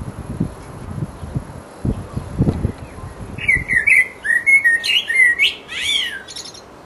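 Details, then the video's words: Mating song from a resident blackbird singing in full voice: after faint low thumps, a long flowing phrase of melodious fluted notes mixed with sharp high squeaky trills. "The mating song of a Black bird"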